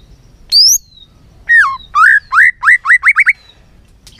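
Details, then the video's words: Many-voiced white-rumped shama singing for training: a high thin whistle, then a falling slur and a quickening series of short hooked notes that speed up into a rapid rattle-like run. "Kích Chòe lửa hót nhiều giọng"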